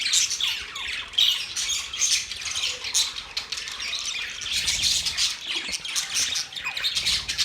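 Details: Budgerigars chatter steadily with harsh squawks mixed with fast high chirps, forming an unbroken scratchy warble.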